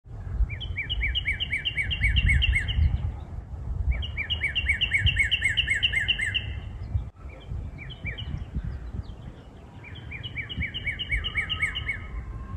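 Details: A frequent visitor to backyard feeders, a northern cardinal, sings in spring in what may be a new song: three bright phrases of quick, clear, down-slurred whistles, about ten notes each, over a steady low rumble of wind or distant traffic.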